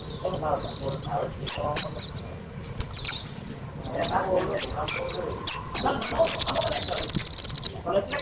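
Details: Kemade in full, very loud song, recorded as a training model for other birds: scattered shrill high chirps that speed into a rapid, dense buzzy trill near the end.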